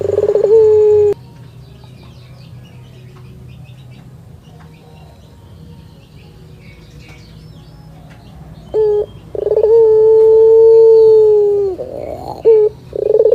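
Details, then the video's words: A cat listens as a Barbary dove sings: a brief coo opens, a long near-silent gap with faint hum follows, then two short notes and a drawn-out steady coo of about two seconds with a soft pulsed flourish. "SUARA BURUNG PUTER MERDU"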